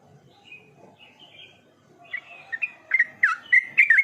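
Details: Yellow-vented bulbul in lively voice: soft, faint warbles at first, building into a rapid series of loud, bubbly, slurred chirps repeated about four times a second, with low background hum.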